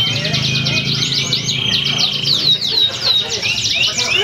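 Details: Canary at a singing contest in Pringsewu, Indonesia, 22 September 2019, pouring out fast rolling trills and descending slurs over a constant murmur of people and other caged birds.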